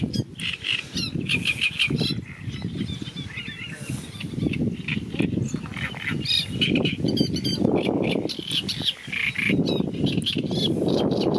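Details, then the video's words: Great reed warbler singing loud, harsh, croaking phrases of repeated grating notes, over a heavy low rumble of wind or handling noise. "canto del carricero tordal"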